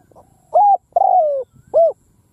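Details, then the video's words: A ground decoy spotted dove calls in a field to lure wild birds. A single close three-part coo sounds out: a clipped note, a long gliding note that drops in pitch, and a round closing note. "Tiếng cu mồi đất gù gáy vang dội cánh đồng / Cu mồi đất gù phóng - Gáy chiêu Bổi giữa cánh đồng"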